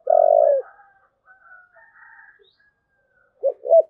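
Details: A long, even, low coo from a spotted dove cooing in the 'thúc gù' style opens the clip. Faint higher chirps follow, and two short hollow coo notes come in again at the end.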